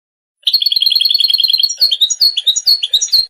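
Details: Goldfinch chattering: a rapid, even run of high twittering notes for over a second, breaking into looser, varied chirps and short slurred phrases. Heard in interactions between individuals or during courtship displays.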